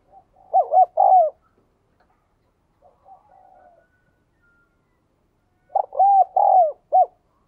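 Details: Spotted dove singing in the 'đồng kim' voice style and cooing very often: two loud phrases of short clipped notes and a long falling coo, separated by a soft, muffled coo. Otherwise quiet.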